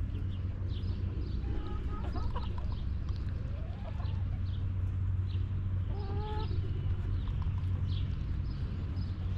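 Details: Backyard chickens in a coop, hens giving scattered harmonic clucks and short drawn calls over steady low rumbling background noise, with faint chirps from other birds.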